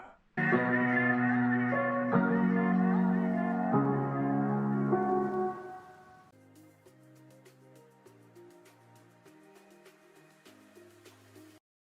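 Soft ambient music with sustained harmonic tones, loud at first and then quieter, with no animal voice.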